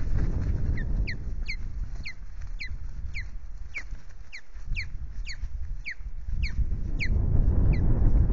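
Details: Ospreys at a Loch Garten nest in Scotland, 21 April, mating attempt by a male: rapid run of sharp, downslurred chirps, roughly three or four each second, with constant low wind rumble beneath.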